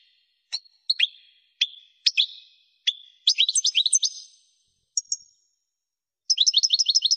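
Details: Goldfinch song used for teaching young birds: high, sharp twittering notes, single chips at first, then fast tumbling trills and a rapid run of repeated chirps near the end.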